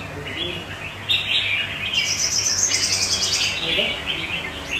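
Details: Vietnamese kept red-whiskered bulbul (chào mào) singing amid other birds: a soft opening, then from the second second a loud burst of chirped notes overlaid by a rapid, very high, rattling trill lasting about a second and a half.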